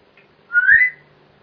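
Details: Pet grey parrot recorded indoors on 26 November 2007, giving a single clear whistle that rises smoothly in pitch and lasts about half a second, then silence; a faint low thump accompanies it.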